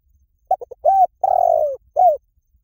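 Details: Spotted dove calling, a recording meant to lure doves in quickly: three short clipped notes, then a mellow arched coo, a longer, slightly rough, falling coo and a final short coo. Quiet background.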